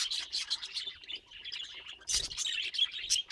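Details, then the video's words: Budgerigar chattering steadily in short, bright chirps and scratchy warbles, a louder burst of clicks and squeaks near the middle, then quick high twitters continuing to the end. "Funny Budgie Sounds"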